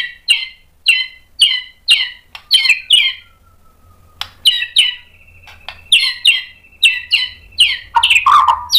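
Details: White-rumped shama provoked into song, showing its imitation material. Paired chirps repeat about every half second, broken by a thin drawn-out whistle, and a lower warbled flourish ends the clip.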